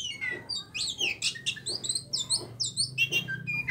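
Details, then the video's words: Oriental magpie-robin of the Aceh type, a kept bird, singing a dense, varied run of bright whistles, sweeps and chattering notes in quick bursts, repeated about every half second with no pause. "Setelan burung kacer ACEH"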